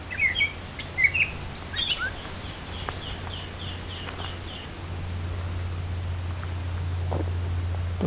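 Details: Gray catbird song on the summer solstice of 2024 in Beverly Swamp, Flamborough, Ontario: a jumble of squeaky, scratchy chirps, then a quick run of evenly repeated high notes, over a steady low hum; catbirds hide inside shrubs.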